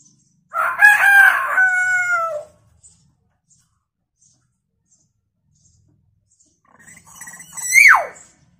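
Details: Hill myna mimicking chicken sounds: a raspy crow with a long held, slightly falling tail. After several seconds of quiet comes a sharp squawk that sweeps steeply downward.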